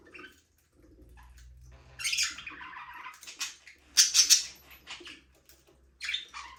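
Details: Budgerigars chirp in a small aviary where the birds fly free, giving scattered harsh buzzy chirps and a loud rattling squawk burst midway, over a faint low hum.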